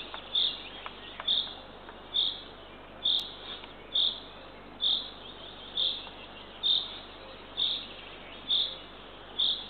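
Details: Eurasian eagle-owl chick, the third in the nest, fed by its mother at 6:21 am on 3 June 2023 in Northern Estonia. Ten or more thin, high, hoarse calls repeat evenly, about one per second, with faint ticks between.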